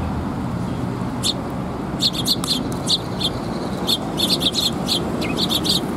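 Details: At a Tenmangu shrine on 8 October 2021, sparrows arriving for food give scattered bright chirps, sparse at first, then clustering into quick irregular runs, against a constant low rumble.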